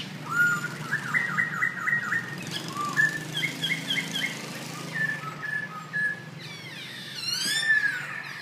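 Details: Birds singing outside a house, pouring out rapid rolling whistled trills and short looping phrases, later joined by a few single whistles and a brief high chattering flourish near the end.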